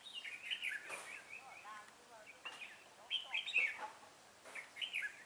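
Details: Caged red-whiskered bulbul acting as a lure for wild bulbuls during trapping, 25 April 2017: quick fluty warbled phrases, several in a row, with a person talking faintly in the background.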